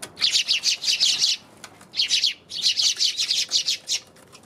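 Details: Eurasian tree sparrow calling on January 27 in fast rattling runs of chirps, a long burst, a short one, then another long burst with a brief silence between.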